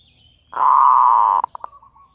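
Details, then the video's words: Lure call of a zebra dove: a loud, steady rolling coo of almost a second, followed by three short clipped notes in quick succession and a soft trailing note. "Suara pikat | MERBUK"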